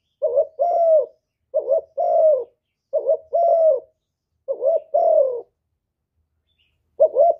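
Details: Spotted dove in the hạp bổi voice giving a full song of calling, urging and cooing, recorded live with no background noise; five low two-note coos about a second apart, a pause, then a sixth beginning.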